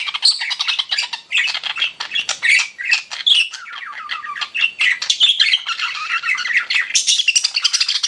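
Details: Several pet budgerigars chirping: rapid clicky, buzzy chatter mixed with warbled squeaks and short trills, continuous and busy, growing denser and brighter toward the end.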